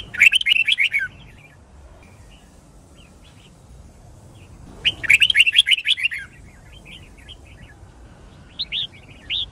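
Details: Red-whiskered bulbul, a white-cheeked bird, singing in a fighting-song style: two bright bursts of rapid, bubbling warbled notes about five seconds apart, with faint scattered chirps between and a short whistled phrase at the end.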